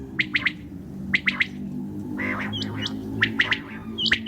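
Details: Common quail heard at night, giving crisp three-note phrases of quick clicky notes, spaced about a second apart, with thin higher whistles and a short buzzy sound between them over a low hum.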